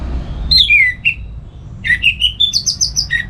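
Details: Caged orange-headed thrush kept at home in Singaraja, north Bali, singing loud ngeplong-style song in the morning, used to stimulate and tutor other songbirds; clear whistled notes falling then a run of rising, bright varied phrases with short pauses.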